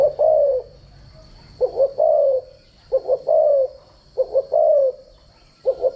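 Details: Decoy cooing of a spotted dove for training doves' voices: four phrases, each two or three short stuttering coos leading into a longer, slightly falling coo, spaced over about a second apart, above a thin steady whine.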